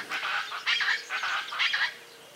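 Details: A Chaco chachalaca by a clear mountain stream west of Ascochinga, Córdoba, Argentina, in 2020 gives a powerful call: loud, harsh, raucous, grating cackles in rhythmic bursts, about three pulses in two seconds.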